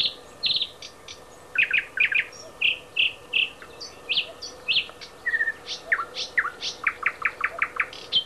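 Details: Song of a thrush nightingale recorded at Háj, Turčianske Teplice, Slovakia: loud clacking notes, repeated rich chock phrases, a short whistle, then an accelerating rattle of sharp strokes.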